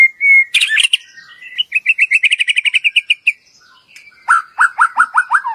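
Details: White-rumped shama lure song for coaxing other shamas to sing their whole repertoire: a clear whistle and a high burst, then a fast even series of repeated chips, and finally a run of descending slurred notes.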